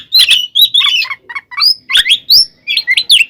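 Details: Oriental magpie-robin (kacer) fighting song to provoke other birds: a short dense run of buzzy chattering notes and upslurred whistles in quick succession.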